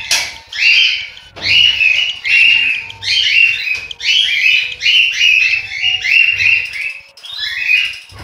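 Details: Cockatiel chicks in a nest in Juazeiro do Norte, Ceará, Brazil: rapid, continuous chorus of hoarse, wheezy rasps in quick succession, with brief pauses and faint background hum.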